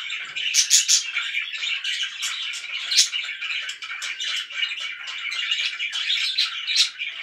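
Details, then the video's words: Loud chirping of pet budgies, a continuous chatter of scratchy warbling notes with sharp high clicks and tweets layered throughout, no pauses. "VERY LOUD BIRDS"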